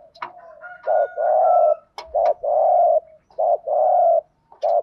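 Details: Decoy spotted dove in the early morning, calling to excite wild birds: repeated pairs of a brief coo and a longer hollow coo, about three phrases. Sharp clicks and a thin whistle from other birds are also heard.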